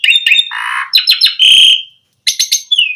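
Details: Asian pied starling song used to provoke other starlings into singing with rich fill-in material: bright chattering and high whistled notes, a buzzy rasp, then a short pause before more clipped chirps and a falling whistle.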